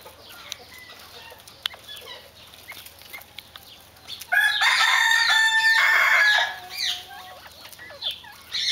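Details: Mexican speckled quail calling, with a loud burst of dense harsh noisy sound in the middle and thin whistled notes and clucks scattered before and after.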